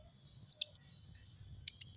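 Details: Van Hasselt's sunbird giving a few high, sharp tick notes in two short groups against a faint low hum.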